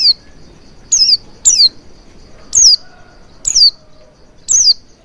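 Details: Lure recording of an Oriental white-eye, meant to make a bird start singing and open its beak wide: six bright, high chirps, each sliding downward, spaced irregularly about every second.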